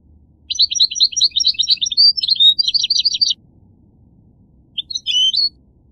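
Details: Goldfinch singing a long, rapid twitter of bright, varied high chirps and trills for nearly three seconds, followed after a gap by a brief closing phrase of a few notes.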